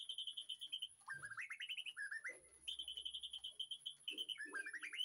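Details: In an afternoon backyard aviary, a caged white-rumped shama delivers long steady whistles and stepped rising phrases, with soft low knocks and rustles in between and a continuous faint high whine.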